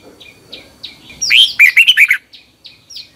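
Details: Red-whiskered bulbul, Thailand, a training song for caged birds played each morning. Soft short chip notes lead into a loud rich warbled phrase of rolling slurred notes, followed again by quiet single chips.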